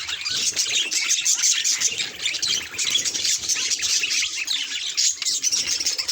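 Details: Mirror-facing budgerigars keep up a thick, squeaky warble of chirps and harsh notes, swelling and briefly easing midway before resuming.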